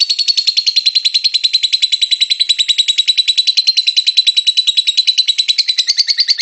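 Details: Continuous rapid chatter of a lovebird in ngekek song, a lure sound meant to start other lovebirds singing: dense, evenly pulsed high buzzy notes running steadily throughout, with no other sounds.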